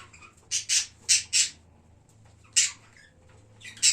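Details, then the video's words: Budgerigars in a pet parrot colony, kept in captivity: harsh, noisy squawks in short bursts, a group of four within a second, then a pause and two more scattered squawks, with a faint low hum behind. "Bugies colony"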